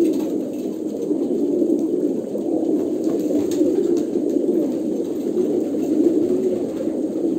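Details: Continuous low cooing from a flock of Kolkata pigeons, throaty and gently pulsing, overlapping calls never fully stopping.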